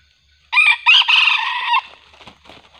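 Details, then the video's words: Junglefowl crowing during a hunt that lures wild birds with a decoy, the wild junglefowl growing fiercer; a loud harsh crow in broken opening bursts, then a sustained rasping stretch that cuts off sharply, followed by faint rustling. "mikat ayam hutan terbaru//pikat sudah tak sanggup lagi,AYAM hutan nya semakin ganas..!!"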